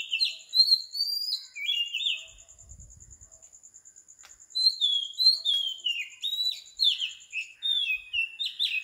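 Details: Oriental magpie-robin singing at 4 am in Sri Lanka: clear whistled phrases sliding between high and middle pitch, a pause near the middle, then a run of descending whistled notes, with a steady high insect-like tone throughout.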